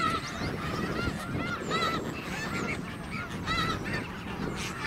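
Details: Snow geese resting at a migration stopover at Garry Point in Richmond, British Columbia, on their way south for the winter; many overlapping nasal honks, arched and repeated, rise from the flock over steady low rumbling background noise.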